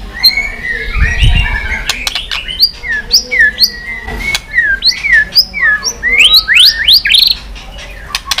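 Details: White-rumped shama singing with tail-flicking after being stimulated. A string of varied whistled notes, some rising and some falling, delivered in quick uneven bursts with a few clicks and low thumps.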